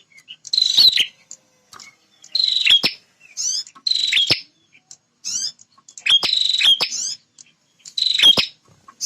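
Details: Very vocal territorial male bar-winged prinia: short buzzy, rasping bursts with sharp clicking notes, repeated roughly every one and a half to two seconds, with brief quiet gaps between.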